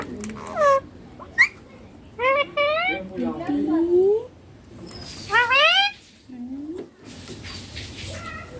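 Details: Talking green Indian ringneck parakeet repeating papa and mummy, giving rising and falling harmonic voiced syllables in clusters, with one low sliding note midway and soft room noise between phrases.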